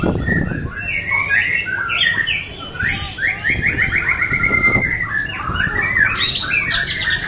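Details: A white-rumped shama at a songbird contest sings a rich, varied stream of whistles, chattering notes and a fast run of repeated phrases, over low background rumble with music and applause.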